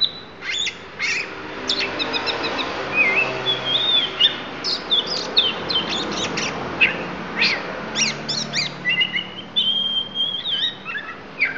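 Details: Isian fill-in song of a Lampung-type oriental magpie-robin: rich mix of sharp chirps, rattling bursts and drawn-out high whistles, delivered continuously with brief breaks over low background hum.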